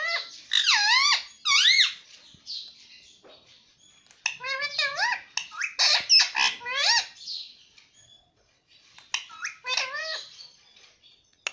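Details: Talking rose-ringed parakeet, a pet, repeating "mummy papa": loud, nasal, wavering harmonic syllables in quick bursts, roughly seventy-seven per minute and irregular, grouped into several phrases with short gaps and a quieter stretch near the end.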